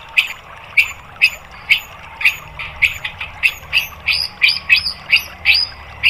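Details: Sharp, clipped high notes from a white-rumped shama, used in training for caged birds, repeated about twice a second in a steady series that quickens slightly toward the end, over a quiet low hum.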